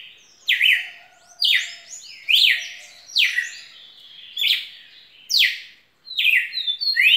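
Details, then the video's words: Red-cowled cardinal in full song, about eight strong descending whistled phrases spaced roughly a second apart, each dropping quickly in pitch, with a faint steady tone beneath. "Galo de campina muito canto muita fibra"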